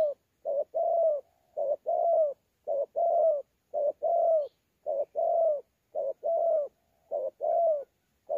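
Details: Wild-caught spotted dove, thổ pha style, recorded 26 November 2019 at Sa Thầy, delivering fighting coos with gù: regular deep coo couplets, a brief note followed by a longer rounded one, about ten in a row, otherwise silent.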